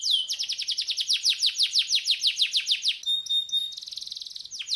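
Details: Canary master song used to encourage a reluctant bird to sing: rapid descending sweeps repeated about twice a second, then a steady high whistle and fast buzzy trill, all high-pitched and loud.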